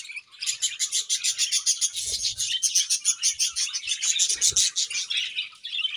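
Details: A happy budgie colony at home gives quick, evenly pulsed high chirps several times a second, blending into a steady warbling chatter, with a couple of soft low knocks.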